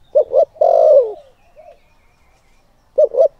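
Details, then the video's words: Decoy spotted dove calling to draw out wild males: two quick low coos leading into a long drawn, downward-sliding coo, a soft faint note, then two more quick coos after a silent gap. "Cu Gáy Mồi Thúc || Gáy Gọi Kích Bổi"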